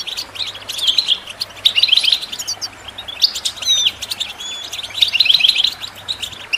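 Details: European goldfinch chirps and song for bird training: rapid twittering phrases with buzzy rattles and a few clear upslurred whistles, coming in bursts with short gaps, over a faint low hum.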